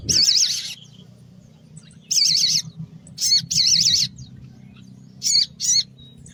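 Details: Morning song of a sogon pastol (mountain tailorbird), recorded to lure small birds: long wavering high trills alternating with short sharp buzzy notes and pauses, above a faint low hum.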